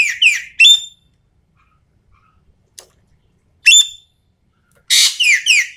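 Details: Sumatran common green magpie singing a lure or tutor recording in the gacor style, full of 'tembakan' bursts: loud, harsh whistled notes with rich overtones, sliding downward, delivered in short clusters separated by pauses.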